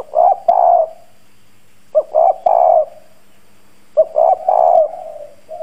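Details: Spotted dove decoy with a rough bronze-toned voice, cooing to provoke wild doves; three low phrases spaced about two seconds apart, each two short notes followed by a drawn-out coo.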